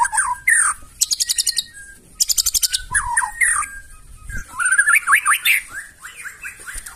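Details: Rough, loud song of a White-rumped shama that provokes rivals into answering: rapid rattling trills alternating with short whistled slurs and a chattering run of notes.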